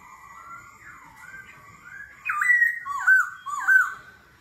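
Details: Laughingthrush singing in a contest with forest-style voice, changing tone continuously; soft wavering whistles build into three loud clear phrases, each a falling then rising whistle about half a second apart.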